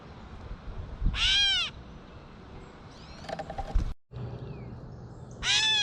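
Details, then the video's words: Feeding in a backyard, a Gray catbird mews harshly like a cat, then a brief burst of chattering noise and a short silence, and a second mew closes the passage. "Catbird Call | Gray Catbird Call"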